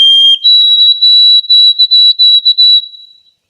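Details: During spring migration, a White-throated Sparrow sings its "old Sam Peabody" song: a pure, clear whistle, one lower note stepping up to a higher pitch, then about six quick repeated notes. No other sounds.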